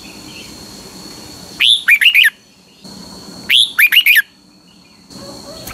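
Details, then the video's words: Red-whiskered bulbul in Thailand giving two bright, bubbly whistled phrases of four or five quick rising-and-falling notes, about two seconds apart, over a steady background hiss. "นกหัวจุก, เสียงนกกรงหัวจุก"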